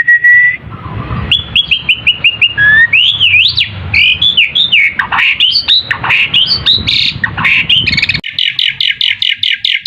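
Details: Asian pied starling, a song used as a lure so other birds call back; a flat whistle, then a run of squawky upslurred and downslurred notes, ending with a fast series of repeated chips.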